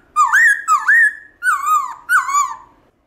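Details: Black-throated laughingthrush (khướu bạc má) delivering its wild 'forest voice' song, used to prompt pet birds to sing: four loud, rich whistled phrases, each a rising then gently falling slur, evenly spaced.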